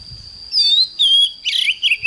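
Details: Morning song of an oriental magpie-robin, played to train a bird to sing fired up: two long pure whistled notes, then a burst of scratchy, buzzy twittering and a short upslurred whistle, with a steady high tone behind.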